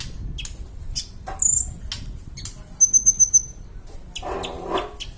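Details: Kolibri ninja (sunbird) singing for bird-training use: a brief very high whistle, then five fast pulsed high notes in a quick row, amid faint clicks and a low background hum.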